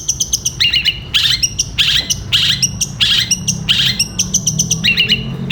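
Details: Long-tailed shrike in loud 'gereja petir' style song for training caged birds: rapid bursts of sharp, chirping, sparrow-like notes, repeated about 90 times a minute, separated by brief pauses, over a faint low hum.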